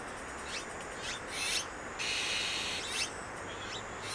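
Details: Azure-winged magpies raising chicks at Maeji-ri, Wonju, Korea: harsh, rasping, hissy bursts, some with rising sweeps, come roughly every half second, with a longer sustained rasp in the middle, over faint steady background noise.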